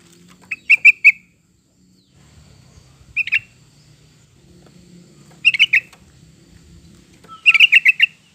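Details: Yellow-vented bulbul phrases recorded as a lure to prompt pet birds into singing: four bursts of quick bubbly chirps, each of three to five notes, roughly every two seconds, over a faint low hum.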